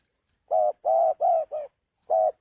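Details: Spotted dove giving a run of four hoarse, even coos with a slightly shorter last note, then beginning the next phrase.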